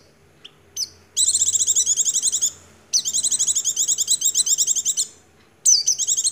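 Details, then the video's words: Rapid rattling trills from an Oriental white-eye singing 'nagen ngecrok' style, rich in white-rumped shama imitation. Two long, even bursts of fast, high, repeated notes are separated by short pauses, with a few whistles at the edges. "Pleci gacor gaya nagen ngecrok isian Murai batu"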